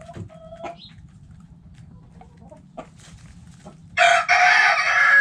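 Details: Backyard chickens in a coop, hens and roosters together: faint scattered clucks and short calls, then a loud harsh rooster crow bursts in near the end and runs to the close.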